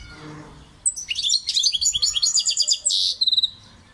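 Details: European goldfinch song: a high whistled note opens a rapid stream of tinkling, liquid twitters, then a harsh buzzy rasp and a few clear high whistles.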